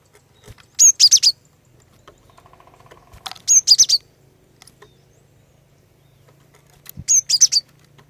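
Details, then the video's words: Lively female cinereous tit song, meant to set males singing too: three phrases of four to five high, ringing whistled notes, about three seconds apart, over a faint steady hum. "Kicauan Glatik Betina Pikat Gacor, Cepat Bikin Glatik Jantan Ikut Bunyi Gacor"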